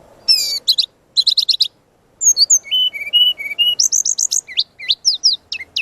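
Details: Energetic training song of a brown-chested jungle flycatcher, packed with varied phrases: buzzy chatter bursts, then steady mid-pitched whistles alternating in pitch, followed by quick high slurred notes and falling strokes.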